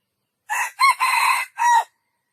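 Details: A single junglefowl crow in four parts: brief first syllable, an arched second syllable, a drawn-out rough middle and a closing note that drops away. No other sounds are heard.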